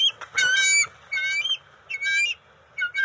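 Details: At the NCTC nest on June 29, 2021, young bald eagles call around an eel and fish delivery: rough squealing cries in three or four bursts, mixed with rustling and flapping.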